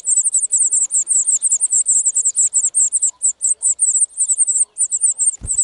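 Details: At a wild nest in spring 2018, a European serin gives a dense stream of piercing, high-pitched jingling notes in quick pulses, briefly faltering near the end before a low thud.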